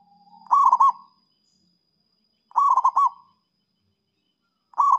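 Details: Zebra dove song used to draw in rivals: three crisp phrases of fast, trilled cooing, evenly spaced about two seconds apart in quiet surroundings.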